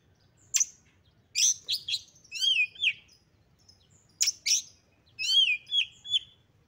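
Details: Female Oriental magpie-robin calling as a lure to rouse males to anger and fighting: sharp clicks and high chirps in two bursts, each followed by short downslurred whistles.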